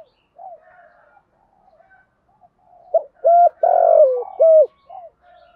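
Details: Decoy spotted dove cooing to lure wild doves in a practised song style: soft low murmured notes first, then a loud phrase of short hollow coos around a longer sliding coo.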